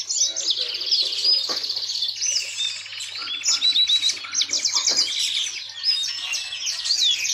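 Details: Yellow-fronted canary kept as a songbird, delivering a bright unbroken song mixing fast buzzy trills with clear slurred whistles and sharp chirps, a low hum and a few soft knocks in the background.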